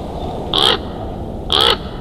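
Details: Bald Eagles at a nest in Big Bear Valley, recorded by a nature cam on 27 October 2022 at 13:17. Two short, high, squeaky-harsh notes come about one second apart over steady background hiss.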